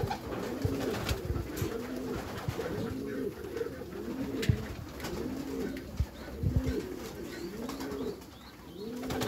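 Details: Repeated hooped coos from Meulemans racing pigeons in a backyard loft, about one every second, deep and throaty, with thumps and shuffling of birds moving in the loft.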